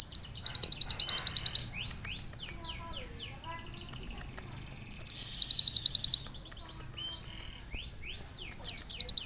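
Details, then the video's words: Sunbird with canary-style fill song: repeated bursts of rapid, very high chattering trills and swept notes, separated by gaps of one to two seconds with faint softer notes between. "asli suara burung kolibri isian"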